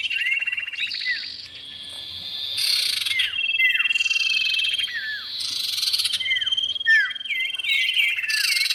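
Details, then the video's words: Male and female common iora in a bird-luring recording: sweeping downward whistles and curled notes alternate with loud buzzy chatter bursts over a continuous thin whistle. "pikat burung cipow jantan dan betina"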